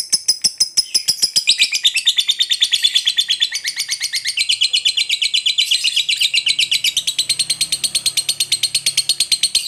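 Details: Lovebird in a long ngekek chattering song, meant to prompt other birds into singing: an unbroken rapid stream of high, scratchy repeated notes, several per second, sliding slightly up and down in pitch for the whole ten seconds.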